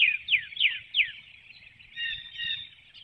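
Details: Calling in flight, a female bald eagle leaves her nest before dawn through the woodlot at Hanover, Pennsylvania, 12 April 2019. Four loud downslurred chirps are followed by softer, level twittering notes.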